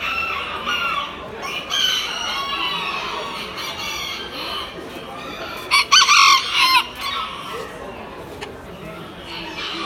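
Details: Miniature rooster crowing at a show on 20 October 2019; rough, broadband crowing phrases, one strong burst midway, among overlapping fowl calls and general exhibition hall noise.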